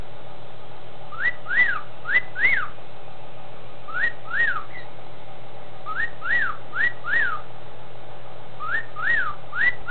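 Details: An adult male pet cockatiel, separated from his mate, gives clear wolf whistles, a rising note then a rising-and-falling one, repeated in bursts.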